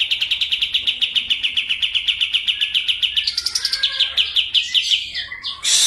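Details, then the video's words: White-eye (kapas tembak) from Medan in full rolling song: a rapid, even trill of sharp high notes at about eight per second for three seconds, then breaking into faster, varied twittering and a final loud burst. "KAPAS TEMBAK MEDAN GACOR ISIAN SUARA PEDAS NGEROLL SPEED NEMBAK EDAN LEPAS TROTOL"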